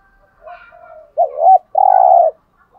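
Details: Spotted dove, known locally as cu gáy, giving one low coo phrase meant to rouse a caged male: a double-humped short note then a sustained flat coo, preceded by faint warbling.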